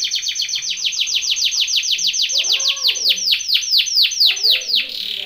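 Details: Canary training song, a long rolling series of falling swept notes, about two to three per second, ending in a brief buzzy burst, with faint low sounds behind.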